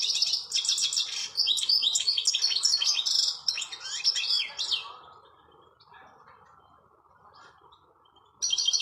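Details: Goldfinch singing outdoors: about five seconds of dense, sparkling twitters and buzzy trills, then near silence over a faint steady hiss, before a brief new burst at the end.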